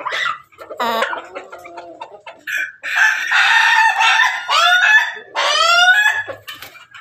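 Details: Ayam Pelung and Ayam Ketawa birds: overlapping clucks and crows, with repeated rising, hiccupping phrases and rasping notes running almost continuously through the recording.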